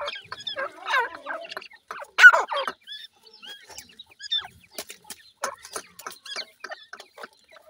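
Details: Grey francolin chicks calling, a scatter of short high chirps and peeps, a few louder buzzy notes near the start, then softer thin cheeps repeated irregularly in quiet surroundings.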